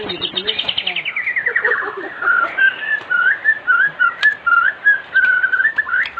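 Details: Afternoon song of a white-rumped shama, played as a lure for other shamas: an opening descending trill, then a run of clear whistled notes repeated at a steady, even pitch.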